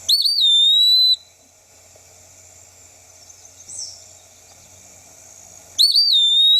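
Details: An Eastern Wood-Pewee, a flycatcher of forest and edges singing from an exposed perch, gives its double-phrased wistful 'pee-wee' song: two clear, slurred whistles about five seconds apart, each rising then drawn out, over a faint background hush.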